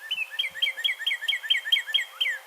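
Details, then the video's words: Northern Cardinal singing in January, the "what cheer" song variation: a fast series of about ten clear, slurred whistles, each dropping from high to lower pitch, about four per second. "What cheer, what cheer, what cheer, what cheer? That's one variation that the Cardinals will sing."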